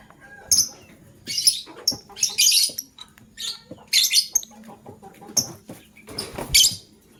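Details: Male lovebird choosing a partner, chirping in the morning: a string of sharp, high squeaky chirps and short harsh bursts, about eight to ten in the span, separated by quiet gaps.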